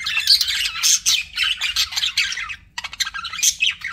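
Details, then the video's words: Loud continuous budgerigar warbling, harsh and scratchy chirps run together, then a brief silence and more rapid chattering with a high squeak. "BUDGIE SOUNDS"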